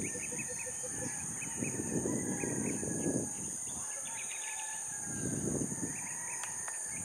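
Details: A grassbird at Tagaytay City, Philippines, on 12 August 2020, gives quick series of short, high, clipped notes, about three a second, over a steady shrill insect hum and gusts of low wind.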